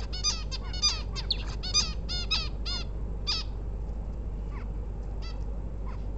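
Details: A bulbul gives a quick run of bright, arched chirps for about three seconds, then a few scattered notes, over a steady low hum; the female is said to be ready to lay eggs.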